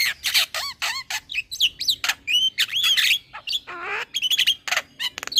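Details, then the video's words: Jalak starling singing as a lure for birds that have stopped singing: a fast, varied stream of swooping whistles, squeaky chirps and harsh nasal notes, almost without pause. "Terapi Burung Jalak Macet Bunyi / Jalak Pikatan Bikin Cepat Gacor Manggut3"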